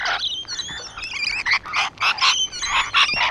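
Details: Rainbow lorikeets on a wall give harsh, rasping screeches mixed with shrill, wavering whistles, several birds overlapping in quick, uneven bursts about once a second.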